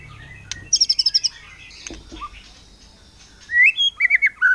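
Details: White-rumped shama singing to provoke other birds into song: a quick run of seven high repeated notes, a pause, then rising whistles and short chattering phrases near the end.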